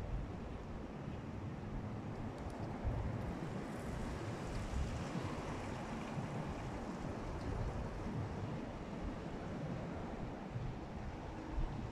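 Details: Steady broadband rumble like wind or surf with low-pitched background noise throughout, and no animal calls heard.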